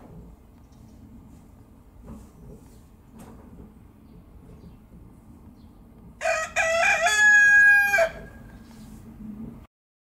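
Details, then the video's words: Red junglefowl rooster (Gallus gallus gallus) gives one crow after several seconds of quiet background: a short rising opening, then a sustained harmonic note of nearly two seconds, with faint clicks beforehand. "Bankivahahn krähend"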